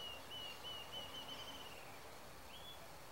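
Rufous-tailed Jacamar giving thin, high whistled notes, about three a second, then a single rising whistle, over a steady background hiss.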